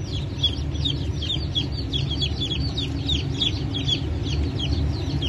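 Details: Newly hatched Brahma chicken chicks from a 1 May 2024 hatch that also included Wyandottes. Short, bright peeps repeat in a busy flock chatter, partly masked by a loud low droning hum.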